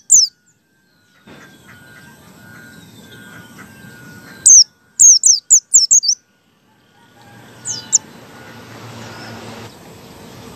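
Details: White-eye in ngalas style, a lure for other white-eyes to sing: one high note, then a brief quick cluster of sharp falling whistles midway, followed by two soft notes over a steady low background hiss.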